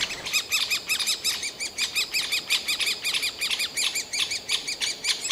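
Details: Grown Great spotted woodpecker chicks in a tree hole begging for food, Yekaterinburg parkland, Russia, summer 2018: dense, overlapping chatter of curved squeaky notes, several birds calling at once in a restless, ceaseless stream.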